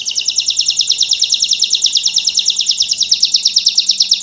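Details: Belgian canary, a master singer performing pure campainha (bell) style song: a fast, steady high trill of rapid repeated notes, slightly louder toward the end, with a faint low hum behind.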